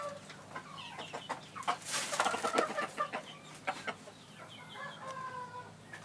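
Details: A Phoenix rooster after rain, on 20 January 2013, with his tail feathers messed up by rain and mud, gives soft, quick clucks and short nasal notes, several each second, with a brief rustling burst partway through.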